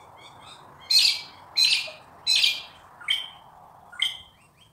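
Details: Wild Australian magpie in Australia giving loud, clear fluting notes, five strong bursts about seven tenths of a second apart, the later ones higher and thinner, with faint quieter warbling behind.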